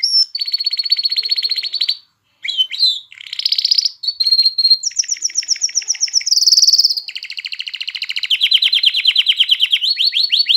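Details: Song of a canary meant to arouse hens for breeding and train chicks to sing; varied phrases of rapid trills at changing pitches, a short silence, buzzy rolls, and a closing series of quick descending chirps.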